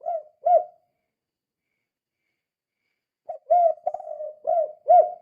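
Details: Spotted dove cooing to lure or stir other doves into calling: soft, hollow coo notes given in short pairs, with a silent gap before a fuller run of several coos.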